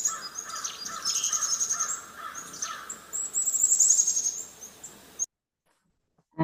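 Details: Mobbing alarm of black-capped chickadee, given against a predator they swoop and dive at: rapid strings of very high chips and buzzy scolding notes in irregular bursts over hiss, ending abruptly in silence.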